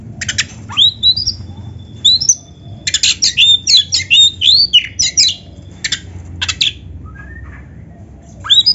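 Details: Oriental magpie-robin (kacer) singing rich material for training other birds: rapid stuttering bursts of sharp rising whistles and scratchy notes, a long thin sustained whistle, then further quick phrases after a brief lull.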